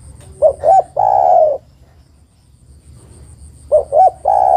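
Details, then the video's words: A female spotted dove calls a male, a lure call. One phrase of two quick notes running into a long, slightly descending coo, then the next phrase begins near the end. "tekukur betina memanggil jantan"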